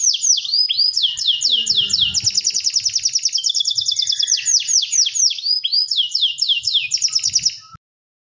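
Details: Canary in active, long rolling song: very high, rapid trills of swept notes run almost without break for over seven seconds, shifting between faster and slower rolls, with faint low background sounds.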